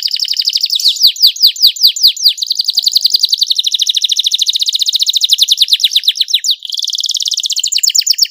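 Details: Canary song used to encourage other canaries into singing: fast repeated downslurred notes blending into a long, even, high rolling trill, then a slightly lower rapid trill.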